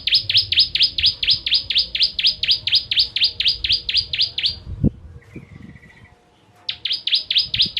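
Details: Bar-winged prinia (ciblek kristal) in rapid-fire 'tembakan' song, used as a master recording for training songbirds: sharp downslurred chirps about four a second for nearly five seconds, a thump, a quiet pause with a faint trill, then the chirping resumes.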